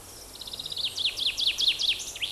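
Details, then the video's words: Tree pipit, a forest-edge species, sings its fairly melodious song, starting perched in a tree and continuing in flight: quick thin high trills, then repeated sweeping downslurred notes about five per second. "ще один узлісний вид лісового щеврика і в нього досить мелодійна пісня"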